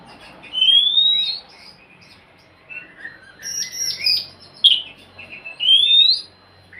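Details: Oriental magpie-robin singing, played to encourage a silent bird: a rising whistle, then scratchy chattering and varied short notes, ending with another rising whistle.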